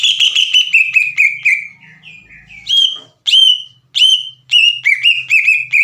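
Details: In-form green leafbird singing a lure song to rouse untrained leafbirds: a quick chain of fluting whistles, then softer lower notes, followed by strong swooping whistles and a renewed rapid run.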